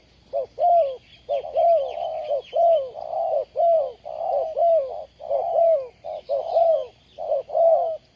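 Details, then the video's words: Spotted dove used as a ground decoy for bird trapping, recorded 20 April 2020: deep, mellow coos in steady phrases, roughly one per second, each note sliding slightly downward, with faint high chirps from other birds. "Bẫy Chim cu gáy bằng mồi đất cực đỉnh"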